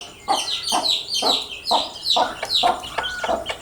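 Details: Baby domestic chicks going about their day, a flock chirping: shrill short peeps, many overlapping and slurring down in pitch, with sharp broadband knocks like pecking or scratching roughly twice per second.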